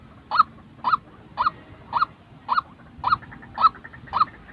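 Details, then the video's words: Real white-breasted waterhen voice for training trapping decoys: eight rasping, honking notes evenly spaced about half a second apart, with faint low background noise. "Bẫy chim quốc-tiếng chim quốc thật"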